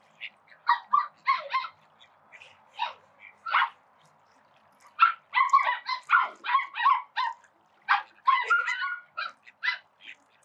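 Call ducks quack loudly and harshly in quick runs of short, nasal bursts, several overlapping, with brief pauses between flurries.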